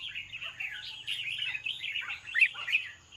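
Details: Evening song of a red-whiskered bulbul, a softer continuous run of slurred, chattering notes that rise and fall in quick succession, with one sharper accent near the end over a faint low hum.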